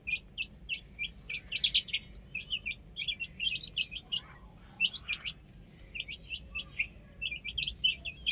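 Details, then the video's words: Young chickens at play on a roof, many birds peeping together in bright, piercing chirps, clustered in bursts with short pauses between them. "Adorable Chicks Chirping Sounds"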